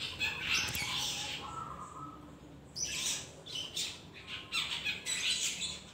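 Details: Young long-tailed shrike learning to sing: harsh, scratchy, noisy bursts, first a long rasping stretch, then a pause and a run of short choppy squawks, over a low background hum.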